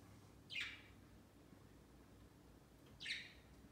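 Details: Budgies, household pets, perched and flocking on a Christmas tree next to their cage on their first Christmas Day. Two loud, rasping chirps that slide downward, roughly two and a half seconds apart, in a quiet room.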